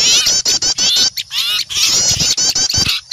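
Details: Small birds in an uproar of fear at seeing an owl, for luring wild birds; piercing, wavering high chatter in rapid bursts with short breaks and a few dull knocks.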